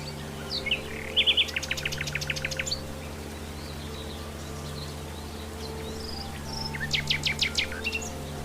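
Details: Wild common nightingale delivering two bursts of rapid, piercing repeated notes, each about a second and a half long and several seconds apart, with a steady low humming drone underneath.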